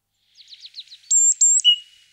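A great tit gives a quick run of five short, falling chirps, then two long, very high, flat whistles and a lower drawn-out note.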